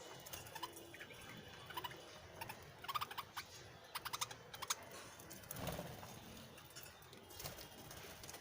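Budgerigars chatter in quick bursts of scratchy, clicking notes and bright warbles.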